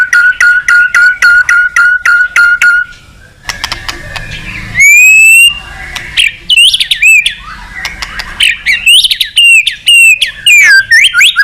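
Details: White-rumped shama in active therapy song rich in varied phrases: a rapid run of even repeated notes, a brief pause, then loud looping whistles and sharp high slurs.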